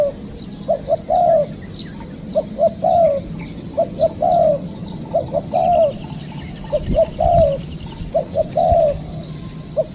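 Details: Wild spotted dove trapping with a decoy; repeated coo phrases, each a pair of brief hoots ending in a longer downward coo, about seven phrases in ten seconds, faint clicks behind.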